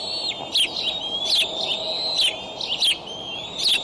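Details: At a Decorah eagle nest on a May 2012 morning, the father delivers a raccoon to eaglets 55 to 59 days old. Thin, high whistled tones run almost continuously, broken by sharp clicky chips about once a second.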